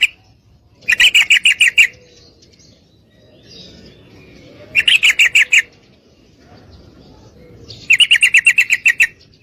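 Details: Three chattering bursts of fast, even, bright notes from a female yellow-vented bulbul calling a male to mate, spaced about three seconds apart with faint rustling between them.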